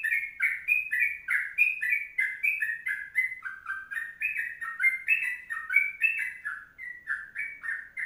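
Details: Lengthy 'kongslet panjang' song from a sooty-headed bulbul: chattering sequences of fluty, slurred notes following each other quickly and steadily, against silence.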